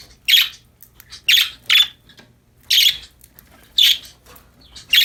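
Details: Pet budgerigars chirping happily while playing, giving six scratchy high chirps in loose succession, roughly one per second, some doubled, with a quiet room behind.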